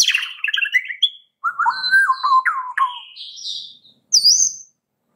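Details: Caged white-rumped shama song used to coax a quiet bird into singing: varied slurred whistles wandering between low and high, with brief pauses between phrases.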